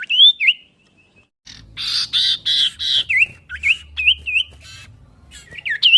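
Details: Common iora song, chattering variation: clear looping whistles, then a pause followed by harsh, noisy scratchy bursts mixed with short, dipping whistled notes and a faint low hum.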